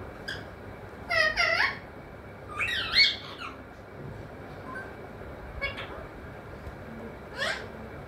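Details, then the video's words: Pet parrot that says mithu, mummy and papa. Loud squawky, speech-like bursts, mostly two strong clusters early, then sparser short calls spaced a second or two apart, over low steady hum. "mithu mithu,mummy papa Bolney wala tota"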